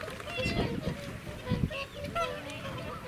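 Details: At close range at Welney WWT, Norfolk, UK, on 20 November 2017, a noisy flock of whooper swans calls together with overlapping honks and bugling notes, several each second, over a low rumble.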